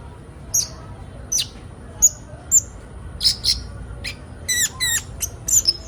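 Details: Sunbird, known locally as kolibri ninja, played as training material to get young birds singing quickly: sparse, sharp high chirps and short trills about every half second, with a faint steady hiss behind.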